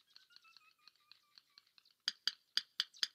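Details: Yellow Rail in a Maine marsh giving its tapping call, sharp dry clicks like two stones knocked together, about four per second in uneven groups, after a faint run of soft descending whistled notes.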